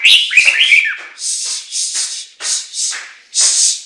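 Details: Chinese hwamei song opening with quick looping whistled notes, then a run of five or six hissing, rasping bursts repeated in a steady broken rhythm.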